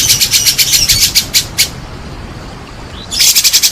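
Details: White-rumped shama song used to provoke other shamas into singing: a rapid pulsed rattle with high whistles, a pause of over a second, then the rattling resumes.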